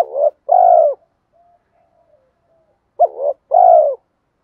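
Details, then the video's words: Spotted dove cooing in a decoy recording used to draw in wild doves (kích bổi), 2024. A low hoarse coo phrase comes twice. Each has a quick broken double note and then a drawn-out, slightly falling coo, with soft murmurs between. "Tiếng chim cu gáy Thúc gù gáy kích bổi cực nhạy nhất hiện nay, Chim cu gáy kích bổi 2024"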